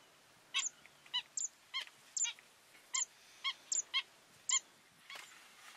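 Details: Little stint at the Ebro Delta, Spain, in August 2015, giving about a dozen short, sharp, high ticking 'stit' calls at an uneven pace, sometimes in quick pairs, over faint hiss.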